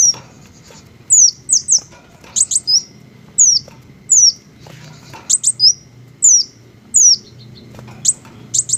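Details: Several sharp, high-pitched chips and falling squeals from green hummingbirds, irregularly spaced over nine seconds, some doubled into quick pairs, against a quiet low background.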